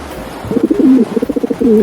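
A pigeon gives low, throaty cooing, a soft rolling burst followed by several quick pulsed coos and a final drawn-out note.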